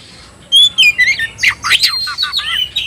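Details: Fired-up Oriental magpie-robin (kacer) provoked to fight: after brief quiet, a burst of high whistled slurs, rising and falling notes and harsh rasps in quick succession.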